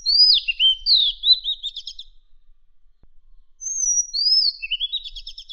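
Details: Madagascar magpie-robin song for training contest birds: a high whistle falls into a rapid rattling trill, then after a short gap the same whistled-and-rattled phrase repeats almost exactly.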